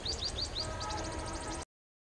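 A sunbird gives quick, thin, high chirps, about four a second, that run into a denser twittering, over a low background rumble.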